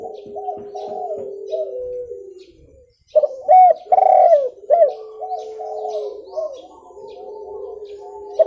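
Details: Spotted dove call for luring birds: softer coos at first, then after a pause a loud phrase of hooked, hollow notes followed by steady low cooing.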